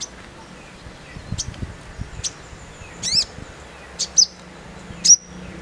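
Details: Crimson sunbird, known locally as sogon, in a harsh "nembak" style: sharp, high, clipped chirps and short rising twitters about once a second, over a noisy background with faint low murmurs.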